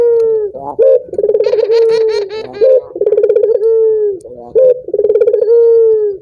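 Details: A collared dove calls to prompt other doves to sing, giving a drawn-out falling coo, an upward flick and a rolling pulsed trill, over and over; a brief burst of brighter chatter sits in the middle.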